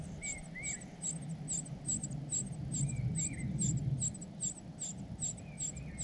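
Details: Hungry cuckoo chick raised by foster parents keeps up rapid, high, thin squeaks, with occasional lower, short rising whistles and a steady low background rumble.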